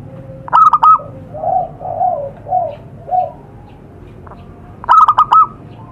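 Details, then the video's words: Wild zebra dove in Indonesian nature, used as a lure recording: a loud clipped stuttering coo burst, then four soft rounded lower coos in a row, and another loud stuttered phrase near the end. "suara pikat burung perkutut di alam"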